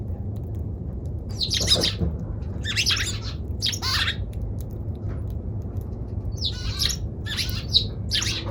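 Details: Eurasian tree sparrow repeating scratchy, buzzy chirps roughly once a second in two loose series separated by a short pause, with a faint low hum underneath.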